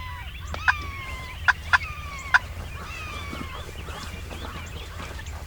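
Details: Distant Osceola wild turkeys, heard from camp in southern Florida turkey woods, gobble in bursts of quick, rattling, falling notes, with a few sharp clicks and a steady low rumble underneath.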